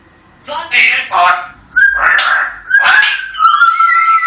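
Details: African grey parrots talking, with several rough, voice-like syllables followed by a clear, steady whistled tone that holds at the end.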